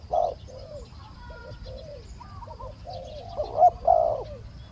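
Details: Decoy-trapping session with spotted doves, a decoy calling to lure a small-voiced wild bird. Soft, low coos in a loose series, with louder hollow notes at the start and near the end against quiet rural background.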